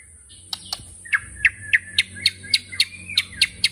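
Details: White-rumped shama (murai batu) in 'tembakan' style, delivering about a dozen sharp, high, clipped notes, roughly three per second, with a steady faint hiss behind.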